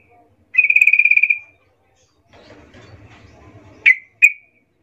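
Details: Sooty-headed bulbul lure call meant to make other bulbuls answer noisily: a rapid buzzy trill of about a dozen even notes lasting one second, a soft rustling pause, then two sharp separate chirps.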